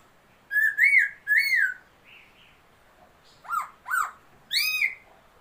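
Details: Song of a laughingthrush, described as a new bird, 27 February 2022: loud clear whistled notes arching up then down, three in a quick run, a pause, then three more shorter upslurred whistles and a final drawn-out note.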